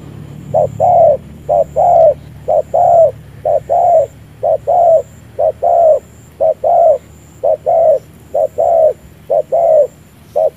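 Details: Unusual chest-lowering coo of a decoy spotted dove used for ground trapping: a long, very regular run of two-part coos, short then long, about one pair per second, with a soft low hum and faint high whine behind.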